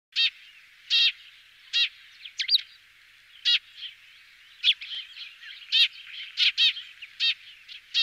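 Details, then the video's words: In France, a Eurasian tree sparrow gives short, harsh chirps at irregular intervals, roughly one a second, over a soft chatter of other small birds. "Moineau friquet - Eurasian Tree Sparrow - Feldsperling ( Passer montanus )"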